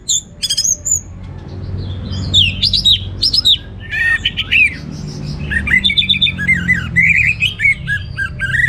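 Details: Orange-headed thrush singing energetically in 'gacor teler' style with abundant varied material: scattered sharp chips, rising and falling whistled slurs and squeaky phrases in bursts, over a steady low hum.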